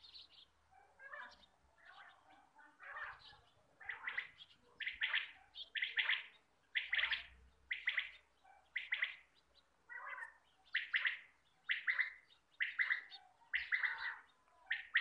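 A quail gives short, buzzy, chirping bursts about once a second, each rough and mid-pitched, repeating steadily against a quiet background.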